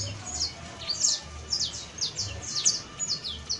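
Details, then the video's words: A juvenile saffron finch (Sicalis flaveola) sings a loose run of short, high, sharp chirps and quick downslurred notes, about one every half second, over a faint low rumble. "CANTO: CANARIO BASTO [SICALIS FLAVEOLA JUVENIL]"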